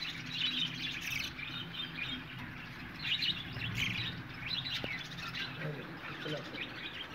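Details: Colony of budgerigars chattering together, dense bursts of warbling, twittering notes from many birds, rising and falling in waves over a low background rumble, with one brief knock midway.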